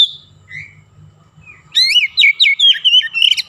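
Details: Oriental magpie-robin, singing energetically with borrowed Javan myna sounds; a few thin, soft whistles lead into a dense, fast flurry of loud, varied, squeaky notes.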